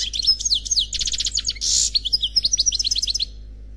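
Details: Unpaired European goldfinch, recorded on CD, delivering Khalwi-style song: rapid descending twitter notes, a dense run of clipped repeated elements, a brief buzzy burst, then lively high chatter over a low steady hum.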